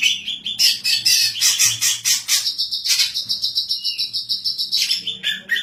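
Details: Singing female greater green leafbird, described as a strong singer kept for tutoring other songbirds and for luring; loud scratchy high chatter gives way to a sustained buzzing trill and steady pulsed chirps.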